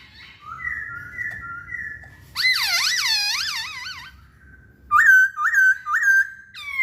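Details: Masked laughingthrush song: soft wavering whistles, then a loud run of rich looping slurred whistles with strong overtones, then a pause and three bright upward-hooked whistled notes.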